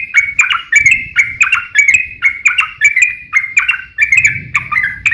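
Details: Yellow-vented bulbul in aggressive fighting song, used as bait to set other bulbuls singing; rapid chattering, slurred notes with crisp clicks, steady throughout, with soft low background noise.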